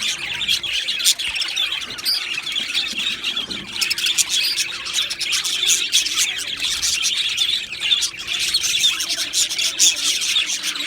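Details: Colony of Australian budgies in an aviary, many birds chirping and chattering at once in a continuous high, scratchy chorus with short clicks and warbles overlapping throughout.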